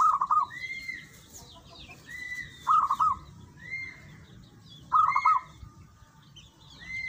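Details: Energetic local zebra dove song: three rolling, stuttered coo phrases roughly two seconds apart, each followed by a short clear rising whistle, over faint chirping of other birds.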